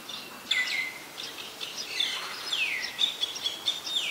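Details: Common myna recorded in Ubon Ratchathani, Thailand, on 15 December 2020 with a Nikon P1000: a string of loud, high, slurred notes, several sliding downward in long sweeps, mixed with short sharp chips, over a quiet background hiss.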